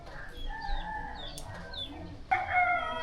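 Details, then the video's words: Village chickens in Kemantan Hilir, Kerinci, Jambi, Indonesia, noisily clucking under drizzle; soft overlapping calls build to a sudden loud, harmonic squawking burst near the end, with faint background village ambience. "Di bagian tengah desa ini suasananya masih sama dengan bagian pinggiran tadi. Ayam-ayamnya masih saja berisik."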